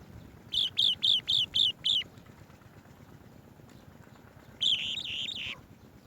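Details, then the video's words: Swallow-tailed bee-eater bringing bees to feed its chicks: a quick burst of six sharp, trilled chirps at a steady rhythm, a pause, then a longer buzzy, slightly descending trill, over low background rustle. "Swallow-tailed bee-eater bird brings bees to feed babies"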